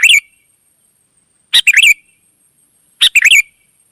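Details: A wild sooty-headed bulbul sings in lively reply, giving clear chirpy phrases of a sharp click and several quick, slightly rising warbled notes, about every one and a half seconds.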